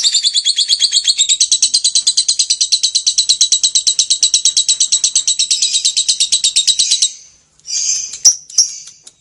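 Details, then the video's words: Lovebird singing the long ngekek trill: about seven seconds of rapid, harsh high-pitched chattering pulses, slightly slowing near the end, then a brief pause and a couple of short squeaky notes. "SUARA BURUNG Lovebird Gacor Ngekek Panjang !"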